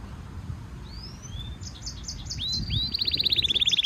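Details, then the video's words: European goldfinch mule hybrid in training song: two thin rising whistles, a brief ticking series, upswept notes, then a rapid, steady, pulsing high trill building toward the end. "European goldfinch Singing Mule -Training - Jilguero Mulo - Carduelis carduelis - Stimulation song"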